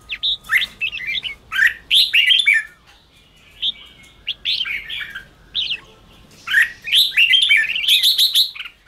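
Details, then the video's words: Lively red-whiskered bulbul 'ché' song meant to fire up weak-spirited wild-caught bulbuls; clustered bubbly whistled notes in three bursts separated by short quiet pauses, the last burst loudest and highest. "Kích chào mào yếu lửa/Kích chào mào bổi nhanh ra âm/kích bổi sổ bọng/chào mào ché kích bổi căng lửa"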